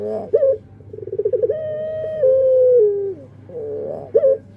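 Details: Singing puter pelung dove gives a clipped opening note, a rising series of quick pulses, and a drawn-out steady coo that slides gradually lower, followed by another short note, with a low electrical hum behind.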